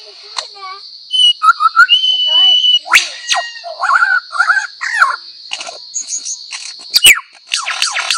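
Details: Superb lyrebird, a wild Australian forest bird known for imitating sounds, singing a varied jumble of whistles, rising and falling slurs, sharp clicks and trills over a steady high hiss.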